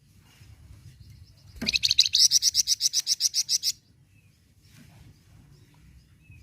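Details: Flamboyan bird song played to make captive flamboyans sing: a sudden, steady run of about fifteen rapid, high, ringing notes over two seconds, then near silence.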